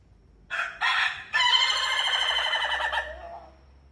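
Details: Crowing rooster, one of various crow types: two short clipped opening syllables followed by a long wavering, vibrato-like crow lasting about two seconds that slowly falls away, faint low hum behind.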